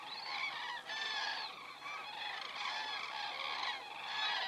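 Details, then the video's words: Flying common cranes over Estonia on the evening of 27 September 2017, 19:26, heard from a crane camera; a steady stream of overlapping trumpeting calls from many birds, loud throughout. "Cranes flying over"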